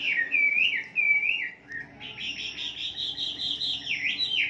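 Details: Caged-bird lure of a wambi singing: two clear whistled slurs, a short gap, then an unbroken buzzy, fast chatter wavering up and down.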